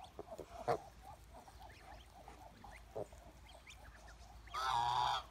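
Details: Domestic Chinese goose: a few faint clicks and quiet chirps, then a loud, nasal, trumpet-like honk near the end.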